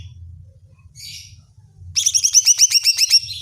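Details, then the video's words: Greater green leafbird song used to provoke and rouse other leafbirds: after faint high chirps, a fast series of about twelve sharp, ringing notes with downward-sweeping tails, repeated roughly four times a second, over a low background hum. "Pancingan suara cucak ijo bikin cucak ijo mu ngotot dan emosi"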